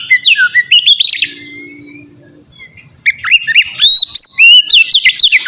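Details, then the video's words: Oriental magpie-robin in melodious, open-flowing 'ngeplong' song, played as a lure to get other magpie-robins singing; quick varied whistles and trills, a pause mid-clip with a faint low hum, then rapid rising and falling whistled phrases. "suara burung kacer ngeplong merdu sangat ampuh buat pancingan kacer bahan bikin cepat gacor"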